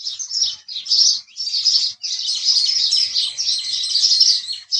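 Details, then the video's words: Chattering house sparrow sound: a few separate chirps open, then merge into a continuous, busy stream of harsh overlapping notes. "house Sparrow Chirping Sound"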